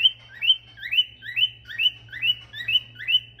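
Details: Male Eurasian stone-curlew singing and whistling: a fast series of shrill, rising whistles, about two per second, over a low steady hum.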